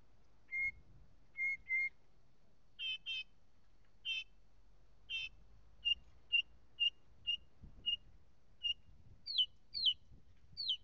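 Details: Northern mockingbird singing: clear whistled notes given in pairs, then buzzy doubled phrases, a series of short repeated chips, and finally sharp falling slurs.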